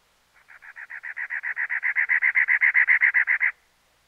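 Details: Cactus wren (Campylorhynchus brunneicapillus), song.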